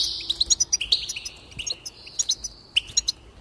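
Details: Goldfinch singing, from a recording to encourage song: a lively stream of quick, high tinkling chirps and short buzzy trills, tumbling notes repeated in rapid succession.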